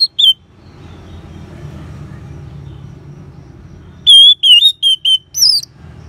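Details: Orange-headed thrush song used as a lure to stimulate caged birds to sing: a quiet stretch with low hum, then a burst of loud, clear whistled and slurred notes around the upper-middle range near the end.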